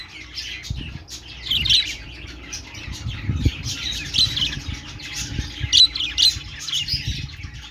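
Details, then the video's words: Budgerigars chirp and warble in a lively flock chorus of bright squeaky notes, over a background of soft low rumbles and taps. "parakeet chirping sounds |Australian parrot singing | budgie sounds"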